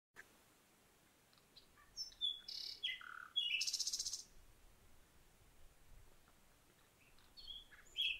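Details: A common nightingale in a garden sings varied, high phrases of whistles and chirps, with a fast, dry, pulsing rattle in the middle, against a quiet background; separately recorded sound, April 2021.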